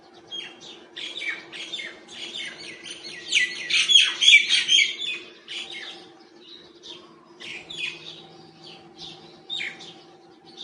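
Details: Wild myna making different sounds while feeding: scattered squeaky chirps build to a loud chattering, grating burst in the middle, then taper off into sparse high notes.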